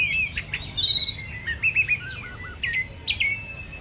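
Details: Actively singing Oriental magpie-robin: a varied phrase of fluty whistles, short trills and clipped chirps, partly falling and partly level, ending in a drawn-out high whistle, with a faint low rumble in the background.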